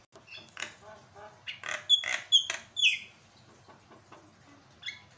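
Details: A Javan myna sings strongly for use as training material that sets other birds singing, mixing soft chattering notes with loud, sharp whistles and harsh squawks in a quick, irregular jumble.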